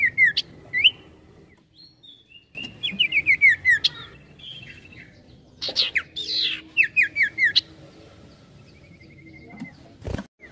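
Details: Ashy tailorbird (sirtu) in energetic gacor song with ngetril ngetrol trills. Repeated bursts of rapid descending chirps alternate with harsher squawky notes and a long thin trill, and a loud knock sounds near the end.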